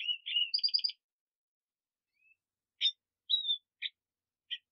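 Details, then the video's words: Black siskin opening with a quick run of bright stacked twitters, then scattered single chirps and a thin whistled slur after a pause. "Negrillo Boliviano! Llamado! Sonido! Cantando! - Black Siskin Song - Spinus Atratus"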